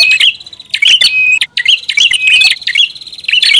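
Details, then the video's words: Prinia lure call, a noisy, busy calling: bright high chirps and short trills in dense repeated bursts, with brief gaps between phrases. "SUARA PIKAT BURUNG PRINJAK ATAS RIBUT"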